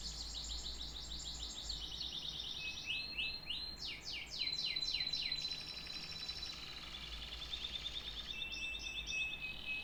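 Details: Canary song: a long varied run of rapid trills, fast descending sweeps and sustained whistled tones shifting between phrases, with low steady background hum.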